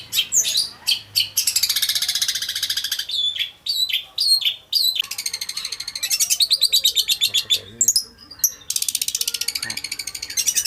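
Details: Long-tailed shrike singing loudly after a morning bath: rapid stuttering harsh trills and dense scratchy rattles alternating with sharp clipped notes, nearly continuous and energetic.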